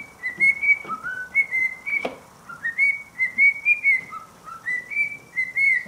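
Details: A cockatiel of uncertain sex (owner unsure whether male or female) whistles a tune of clear, slightly rising notes, repeated in short phrases.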